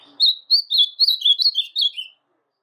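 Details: Brown-plumaged (pardo) blue-black grosbeak, a kept bird, singing: a rapid series of about nine clear, slurred whistled notes, each rising and falling, delivered in about two seconds and then stopping, with a quiet background.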